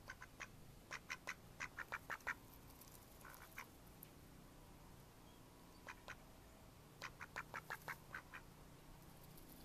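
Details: Mallards in May 2014 quacking in quick bursts of short, harsh, nasal notes, several in a row with brief pauses between series, over a low steady background hum.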